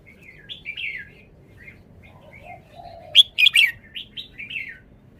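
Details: Red-whiskered bulbul kept caged, displaying its song phrasing: scattered soft whistles, then a loud burst of sharp crackling notes followed by a few bright downslurred whistles trailing off.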